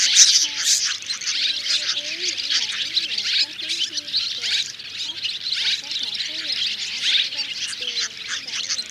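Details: Combined roost calls of white-bellied, banded and grey-brown swiftlets drawing the flock in to sleep, a 2024 lure track: unbroken dense shrill chirping throughout, with wavering low whistles underneath.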